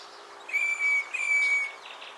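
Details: Northern fiscal calling at Naro Moru River Lodge, Kenya: two drawn-out, steady, high whistled notes given back to back, with a faint background hiss.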